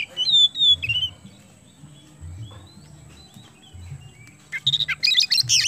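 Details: Oriental magpie-robin of the kacer kemben type in full, vigorous song, used to prompt other birds to sing: clear whistled phrases and falling slurred notes, a quiet pause, then a dense burst of rapid, buzzy, chattering notes, with a low steady hum underneath.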